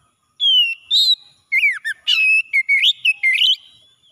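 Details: Oriental magpie-robin singing in the morning: a drawn-out falling whistle, then a buzzy burst and a quick string of varied whistled and chirped notes.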